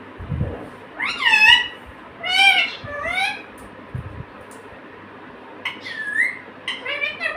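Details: Pet parrot that speaks "mummy" and "papa", giving a run of loud, scratchy, rising syllables in quick clusters, a pause, then several more shorter bursts, with low thumps and room hum in the background.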